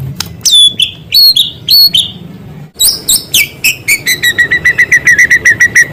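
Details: White-rumped shama in vigorous song with small-bird material mixed in. Sliding whistled notes in short groups give way to an accelerating series of short repeated chips.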